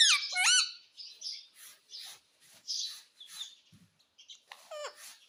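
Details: Indoor pet parrot known for saying mitthu and mummy; a loud burst of looping voice-like notes at the start, then soft scattered chirps and murmurs, and a final sliding syllable.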